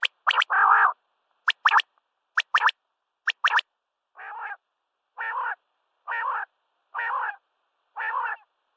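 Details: Common quail calling at sunrise: sharp, clicky notes in quick groups of two or three, repeating roughly every second, then a run of evenly spaced harsh, buzzy bursts lower in pitch.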